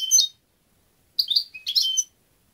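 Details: European goldfinch giving brief clusters of high, tinkling twitters and slurred chirps, three short bursts in a quiet setting.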